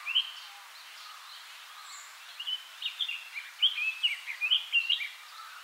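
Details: A Red-billed leiothrix, an invasive species, sings in Akigase Park, Saitama, Japan, in a recording about 20 years old: a quick, bright warbling phrase of rising and falling whistled notes, tumbling along for about three seconds after a lone opening chirp.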